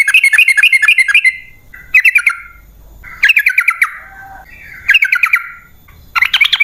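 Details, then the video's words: Sooty-headed bulbul song used as a lure to draw wild birds into answering: five bursts of fast, bubbling chattered phrases with sharp rising-falling notes, separated by short pauses. "Pancingan Trucukan"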